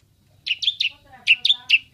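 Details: Asian pied starling (jalak suren), vocal and in full voice, imitating human voices: two quick bursts of three sharp, chirpy notes each, the second burst after a short pause, with a faint lower tonal murmur between them.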